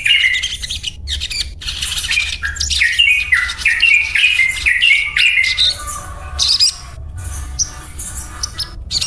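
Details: A sogon, or little spiderhunter, pours out a loud run of descending squeaky notes that step down in pitch, then breaks into scattered high chips and short pauses; faint low hum behind.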